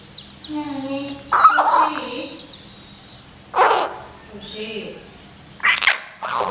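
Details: Common hill myna kept indoors, May 2015, straining to speak in exchange with its owner; sharp noisy squawk-like bursts alternate with voiced, speech-like phrases in a small room.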